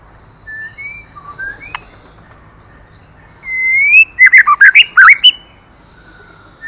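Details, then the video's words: White-rumped shama female stimulating a male. Soft distant whistles lead into a loud rising whistle and a quick string of sharp, bouncing notes around the four-second mark. "Choè lửa mái kích trống hay nhất"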